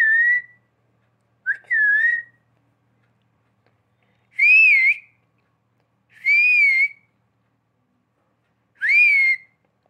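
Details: Pet parrot whistling like a person: two wavy whistles close together, then three louder, rich rising-and-falling whistles spaced about two seconds apart, clean and tonal.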